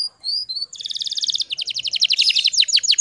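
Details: Lure song of a female canary in breeding condition, Indonesia, meant to provoke males to sing: two short whistled notes, then a tight fast trill shifting into louder, evenly spaced downslurred chirps.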